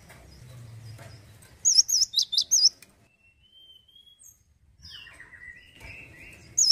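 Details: Male cinereous tit in full song, delivering one quick burst of about five high, rippling whistled notes amid faint background whistles and low rumble, with another note starting at the very end.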